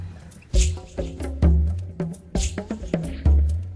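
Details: Music plays, with deep resonant tones and sharp percussive knocks struck at irregular intervals.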